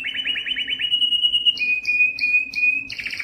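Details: Yellow canary singing: a fast trill of repeated notes near the upper-middle range, then a steady held whistle, followed by short bright rising notes alternating with a sustained lower tone, ending in a buzzy rolling phrase.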